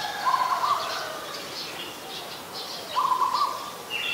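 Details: Streak-eared Bulbul in Ubon Ratchathani, Thailand, on 22 July 2022, giving two short, bright, slightly warbled mid-pitched calls about three seconds apart, over faint background bird chatter and a soft hiss.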